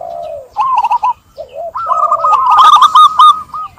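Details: Zebra dove (perkutut) song used to get a reluctant dove singing: a low drawn note, a short burst of quick coos, then a sustained rapid string of hooked, bubbling notes.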